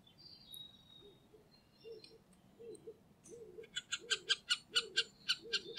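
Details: Middle spotted woodpecker, Liepāja, Latvia, in November 2023: a fast run of harsh, nasal, buzzy notes, about three per second, after scattered thin high chirps, with soft low cooing notes from another bird beneath.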